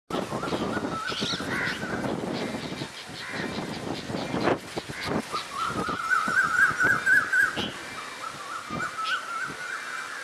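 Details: Red-vented bulbuls, common local birds, calling loudly while moving their wings; harsh, scratchy notes repeat quickly, with a run of short, clear chirps in the middle, against outdoor background noise.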